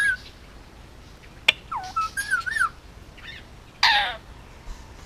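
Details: Indian ringneck parakeet, a hand-raised male almost two years old on Oahu, Hawaii, gives a sharp click, a string of curving whistled and wavering notes, then a loud rasping squawk.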